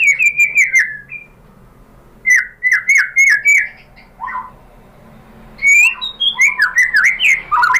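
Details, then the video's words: White-rumped shama lure song meant to draw answers from other shamas: clusters of fast repeated downslurred whistles, separated by quiet gaps of about a second, with a buzzy rising note midway. "pancingan MURAI BATU BIKIN EMOSI NYAUT GACOR BONGKAR MATERI"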